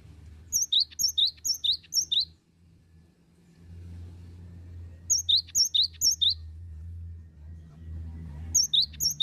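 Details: Cinereous tit singing in three short bursts, each of about four high, ringing, two-part whistled phrases given rapidly, with pauses between bursts. A low engine-like rumble runs through the background.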